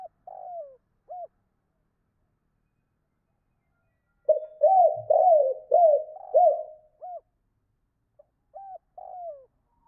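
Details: Spotted dove calling to hens: short sets of soft low cooing notes, each slightly falling, a brief group first, then a rapid burst of about six coos, then scattered single coos against silence.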